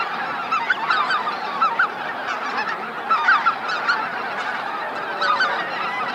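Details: Greater white-fronted geese at Miyajima-numa, Hokkaido, 2016, arriving at their roost; bright, squeaky yelping honks from nearby birds punctuate a dense background of massed flock calling.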